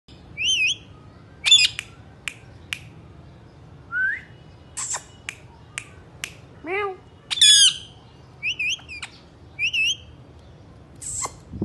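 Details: Three Indian ringneck parakeets kept indoors: short wavering whistles, sharp chirps and loud harsh squawks in quick bursts, with many brief clicks between them.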